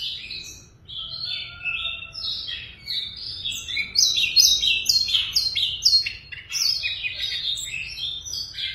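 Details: Siberian rubythroat kept in a cage, well tamed, delivering a continuous rich warbling song of rapid, varied high notes and trills, with repeated chirped syllables clustering in the middle; steady faint low hum underneath.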